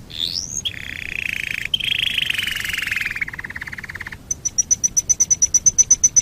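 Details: Canary song used as a master recording for training other birds: a rising then falling whistled sweep, a long buzzy rolling trill sliding slowly downward, then a rapid series of high, sharp chips, about four per second. No other sounds.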